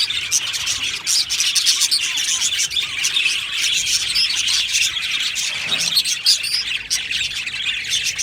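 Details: Group of budgerigars in an aviary producing continuous shrill chirping and warbling, many voices layered into a steady dense chorus.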